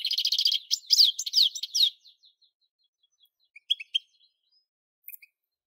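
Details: European goldfinch song opening with a fast run of liquid, tinkling twitters for about two seconds, then a pause and a few scattered high chirps.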